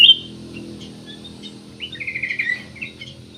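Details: Black-naped oriole in full song, played as a lure to get other birds singing: a sharp opening note, a pause, then a fast buzzy trill near the end, with faint low background noise.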